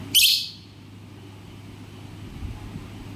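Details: Alexandrine parakeet, a pet talking parrot, giving one loud, short, harsh high chirp, then near silence with a steady low hum.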